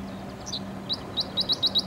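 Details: A Dickcissel singing and hunting at Steelworkers Park, a former US Steel plant on Lake Michigan in Chicago, gives a quick run of sharp, high chips that speed up toward the end over a steady low hum; a harbor horn may sound.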